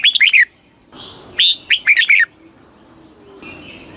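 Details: Red-whiskered bulbul in rapid kích bổi song aimed at rousing newly caught birds; two quick, bubbly phrases of chirping, slurred notes close together, then softer background twitter.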